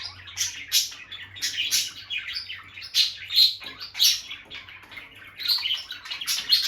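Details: Peach-faced lovebird couple, bonded pair staying close near their nest box, trading rapid buzzy high chirps in bursts about every half second, loud and clear over a quiet room.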